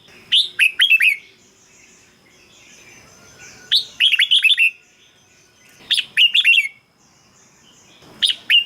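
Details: Red-whiskered bulbul song for decoy use or to rouse caged birds, three lively phrases of four to six fast, liquid whistles about two seconds apart, with the start of a fourth at the end.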